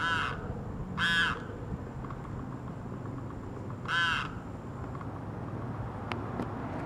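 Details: Three loud, harsh, wailing Limpkin cries, two close together and a third after a pause, then a couple of faint clicks over a low background rumble, in Florida's Gulf Coast marshes.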